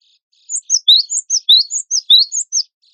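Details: Actively singing gelatik batu wingko (cinereous tit) recorded as a master for competition songbirds. About ten clear, piercing, downslurred chirps delivered in rapid, even succession after a short silence.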